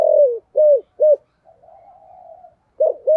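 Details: Spotted dove in 'giọng thổ' voice, played to lure wild doves. A long falling coo and two short hoarse coos, a soft wavering hum, then cooing starts again.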